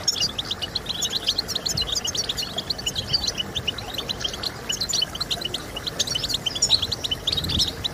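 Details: European goldfinch twittering, played to encourage goldfinches to sing: dense, fast high chirps and trills with scattered brighter notes, set against continuous low hiss.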